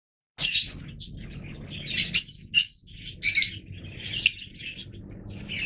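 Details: Fischer's lovebirds of the yellow mutation, kept birds, with sharp high squeaky chirps spaced about a second apart, short piercing bursts over steady low hum.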